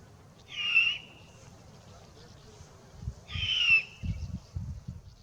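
Young Great Horned Owl giving two harsh, hissing screeches about three seconds apart, begging for food; low rumbling noise underneath.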